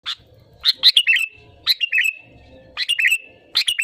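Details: Sooty-headed bulbul in lively song, recorded as a lure to set other birds singing: short bubbly phrases of slurred chirps about once a second, each ending in a drawn-out whistled note, with faint low rumble behind.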